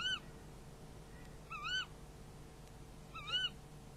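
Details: Night-time prey handover at a tawny owl nest, recorded by a nest camera on 11 February 2016: three short, wavy, rising-and-falling calls spaced about one and a half seconds apart over a low steady hum.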